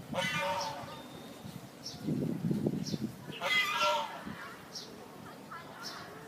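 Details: At a college in Phnom Penh, a pair of pet geese gives a harsh, nasal honk at the start and another about three and a half seconds later, with human voices mumbling in between.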